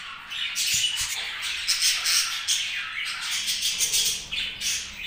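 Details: Budgerigars chattering happily, a busy stream of high twittering and warbled chirps rising and falling, with a few faint low knocks.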